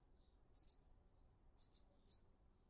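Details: A hummingbird in a garden, said to be calling other hummingbirds to it, gives three quick bursts of very high, thin, squeaky chirps within about two seconds. The first two bursts are doubled notes, with silence around them.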